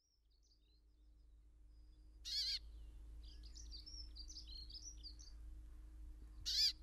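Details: Brambling at Ballinaglera, Ireland: two loud, harsh, nasal buzzy calls about four seconds apart, each lasting under half a second, with soft high twittering from other small birds between them and a low steady background hum.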